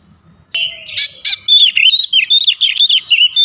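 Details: Oriental magpie-robin (kacer) singing: after half a second of near silence, a rapid, varied run of high whistled and chattering notes, some sliding and some clipped, delivered in quick bursts for about three seconds.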